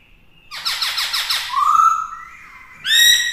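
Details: Black-throated laughingthrush (khướu bạc má) singing in a session for training a young bird, with forest-style, varied-voice song. Opens with a thin whistle, then a burst of harsh, buzzy rasping notes, followed by smooth level whistles and a loud rising whistle.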